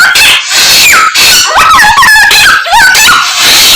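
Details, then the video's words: Samyong singing with imitations of many other birds: loud jumble of clear downslurred whistles, wavering trills and harsh chatter, delivered continuously over a few seconds. "Samyong Gacor full isian Burung Sak Kebon Dadi siji"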